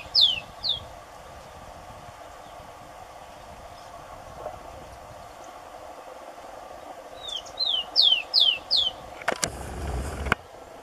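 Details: Rufous-collared sparrow (tico-tico) singing: two clear downslurred whistles open, then after a pause a run of four or five sliding whistled notes. A brief broadband noise burst follows near the end, over a faint steady background hum.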